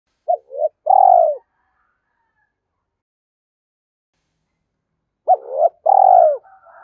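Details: Spotted dove cooing as a lure call to stir wild doves. Two deep, mellow coo phrases about four seconds apart, each a short rising note then a longer falling hoot, with silence between.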